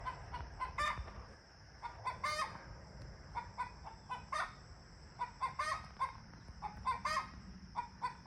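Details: Domestic chickens being talkative in the morning: repeated short clucks and brief squawks come in irregular clusters throughout, over a steady hiss and a faint high hum.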